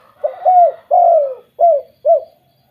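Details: One clear phrase from a spotted dove: four low coos, the first two longer and sliding down, the last two short. This 'kuk 2' call is meant to make other doves call.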